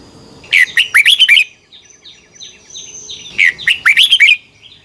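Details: Red-whiskered bulbul singing competitively, recorded to train birds: two lively bursts of about six liquid, rising-falling whistled notes three seconds apart, with faint descending chirps of other birds in the gap.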